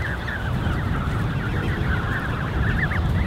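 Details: Dozens of Canada goose goslings in a creche, June 2015, giving a busy stream of high, thin, chirping peeps, arched and overlapping, with a low rumbling background of wind and water.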